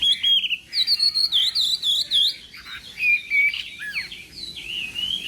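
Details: Contest song of a Chinese hwamei during morning voice training: bright whistled notes repeated in quick bouncing series, then longer level whistles and downward slurs, ending in a softer warbling passage.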